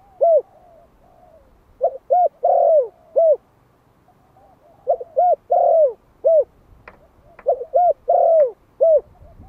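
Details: Decoy spotted dove, a one-year-old Malai bird, repeating its calling song three times in close succession. Each phrase has a brief lead-in, paired mellow coos, a long falling coo and a last short coo. Quiet background throughout.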